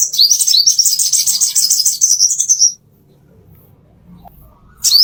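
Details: Plain-throated sunbird master song for training caged birds: nearly three seconds of rapid high twittering with repeated rising notes, silence, then one sharp upslurred note.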